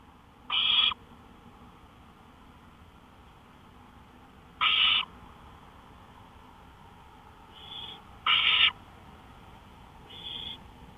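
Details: Owl at night on a porch, 1:53 AM, May 5, 2013; irregular raspy hiss-screeches, some loud and some softer and more distant-sounding, five in eleven seconds over faint background hum.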